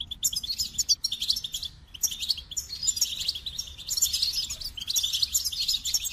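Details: A singing goldfinch pours out fast, tinkling twitters and buzzy rattles in long phrases, pausing briefly about every two seconds.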